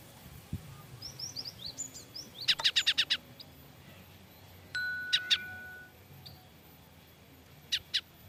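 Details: Frightened cinereous tit giving alarm calls: thin, high slurred whistles, then a rapid burst of five sharp, broadband chattering notes, a sustained hiss and further paired hard notes, with steady background noise.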